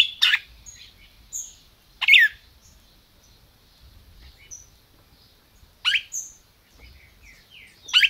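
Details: Red-crested cardinal in captivity in Brazil, the 'máquina' kind, calling: a few loud, down-slurred chirps spread across several seconds, with softer high notes between them.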